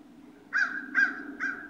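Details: Ravens calling at sunrise on 22 November 2016, playful: three harsh, hoarse, mid-pitched calls in quick succession, each short and slightly falling, about half a second apart, over a quiet low background hum.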